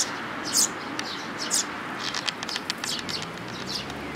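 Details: Tree sparrows with young, 13 May 2018: two loud piercing chirps a second apart, followed by a run of softer, rapid twitters overlapping one another, against a steady noisy background.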